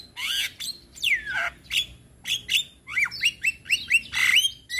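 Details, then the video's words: Male Javan myna, sung to teach other mynas, gives loud separate squawks and sharply falling or rising whistled slurs, spaced about every half second, some harsh and broad. "Ocehan Jalak Kebo Jantan"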